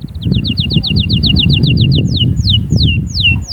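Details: Canary song played to stimulate youngsters and females: a steady tour of quick repeated downslurred notes, slowing into wider spaced descending whistles near the end, with a low rumbling background.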